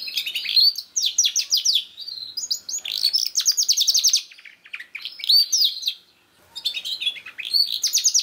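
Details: Canary singing, offered as a lure for a young canary that has not begun to sing: several phrases of fast ringing trills separated by short pauses, each opening with a rising whistle.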